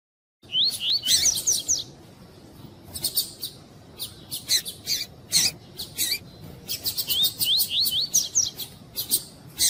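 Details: Caged double-collared seedeater, a female calling to excite the male, kept by breeders for song tournaments; clear rising whistled slurs, then bursts of sharp high chips and buzzy notes in repeated clusters with short pauses.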